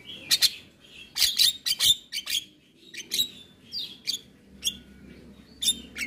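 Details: Javan myna song used as a tutoring recording played each morning to get mynas singing: sharp, harsh broadband bursts and short high whistles in irregular clusters, with quiet gaps between phrases.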